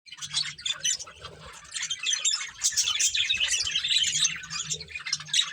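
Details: Colourful budgies, a breeding pair, chattering: a dense, continuous stream of high, scratchy chirps and warbles with quick twittering notes, overlapping throughout with little pause.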